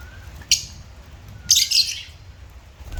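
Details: Pet African lovebird calls: one sharp chirp, then a longer raspy, squawking chirp, over a quiet hum.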